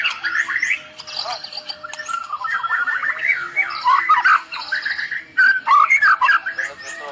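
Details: White-rumped shama of the Medan type in 'tembakan' song full of cililin mimicry, meant to make rivals drop: a continuous stream of fast chattering and slurred notes, with louder sharp bursts near the end.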